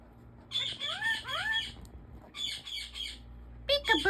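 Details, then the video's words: Pet African ringneck parrot talking indoors: rising whistled, harmonic phrases and bursts of raspy chatter in three groups, separated by short silences in a quiet room. "Talking African Ringneck Parrot"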